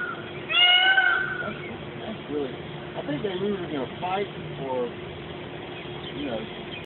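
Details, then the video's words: A peafowl by the side of the road gives one loud, nasal, wailing cry lasting under a second, then people talk over passing traffic. "Peacocks howling"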